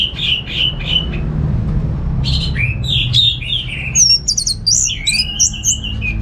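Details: Orange-headed thrush, a home-kept songbird in Singaraja, North Bali, giving repeated short whistled notes, then descending slurred phrases and high sweeping whistles; low hum in the background.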